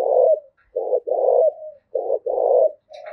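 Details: Rousing 'thúc gù' coo of a spotted dove, played to train decoy birds and stir males: deep, even coos, a clipped note followed by a drawn-out one, repeated steadily with no other sounds.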